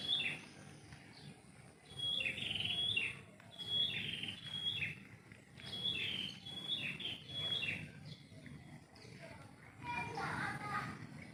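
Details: Bird singing at morning in a home-yard tree: intermittent whistled phrases with quick drops in pitch, gaps between bouts, a rougher lower burst near the end, steady background hum.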